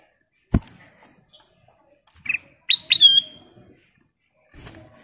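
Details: Golden-coloured kutilang emas bulbul in full lure song: a faint click, a short burred note, then two sharp upward notes leading into a clear sustained whistle with a falling tail, in near silence.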